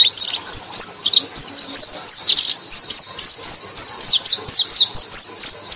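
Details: Lure song of a white-eye for calling in others of its kind: a dense, hurried sequence of sharp high whistles, mostly falling in pitch, some buzzy, running continuously.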